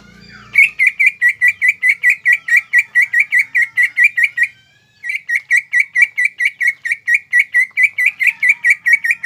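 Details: Greater green leafbird in full, energetic 'mbeset' song meant to provoke rivals: a fast run of sharp, bright chirps repeated more than twice a second, a brief pause near five seconds, then the same rapid chirping resumes.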